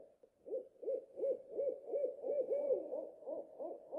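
An owl gives a rapid series of low, hollow hoots, about three per second, steady and slightly rising in pitch, with a faint higher whistle in the background.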